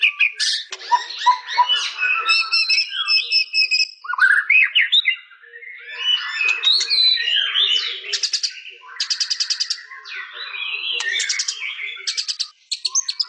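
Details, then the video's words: Long, rich song of a white-rumped shama, mixing fluty whistles, buzzy chatter and fast rattling trills repeated in bursts, continuous over many seconds with few pauses. "Suara burung murai batu"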